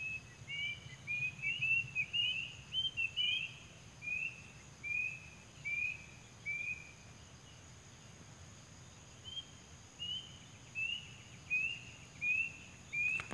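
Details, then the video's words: A wild cuckoo (kedasi) gives short, high, thin whistled notes, slightly rising and repeated in quick series, over a steady insect-like hiss; the natural call is recorded for use as a lure. "suara asli burung kedasi alam liar"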